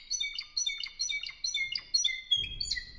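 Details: Caged Spanish Timbrado canary, bred in 2015 and belonging to a song club in Albacete, Spain, giving fast bright whistled phrases with metallic clicks, then a low rumbling noise underneath during the final second.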